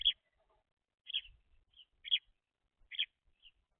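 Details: Young house sparrows give loud, clipped chirps at irregular intervals of about a second, with a few softer single notes between them and faint low bumps in the background.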